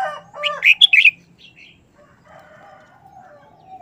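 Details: Short, fast wild-style song from a caged red-whiskered bulbul: a lower rising note leading into a quick run of bright, bouncing whistles, then a soft trailing warble and faint low hum.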